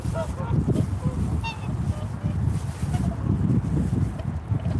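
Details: Short, horn-like swan honks, one near the start and a higher, sharper one after a second and a half, followed by fainter calls amid gusty wind.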